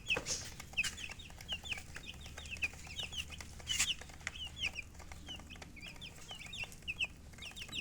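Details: Colored chickens chirping with a hen: many faint, high, downward-sliding peeps overlapping steadily throughout, with scattered clicks and a low background hum.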